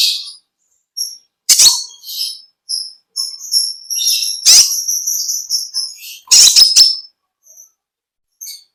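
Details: Konin (olive-backed sunbird) singing in a long chattering style: thin high whistles and short twittering phrases, broken by three sharp, explosive chips, with gaps of silence and faint high notes trailing at the end.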